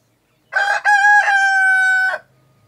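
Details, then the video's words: Rooster, a male of a laying chicken breed, crowing loudly up close: a short opening note, a brief break, then a long sustained harmonic-rich note held for about a second before cutting off, with a quiet background. "SUARA KOKOK AYAM PEJANTAN // the sound of a rooster crowing"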